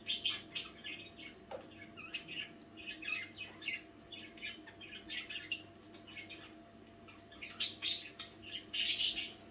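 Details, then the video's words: Budgerigars chattering softly at night: a steady run of quick, scratchy chirps and warbles with brief louder squawky bursts over a faint steady hum. "nächtliche Besprechung"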